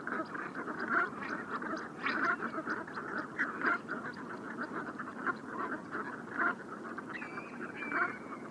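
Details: A flock of Brant geese on the Bassin d'Arcachon at Andernos-les-Bains, France, around 7 pm at rising tide, keeps up a dense guttural murmur of low rolling calls, louder bursts every second or two, and a late thin whistle.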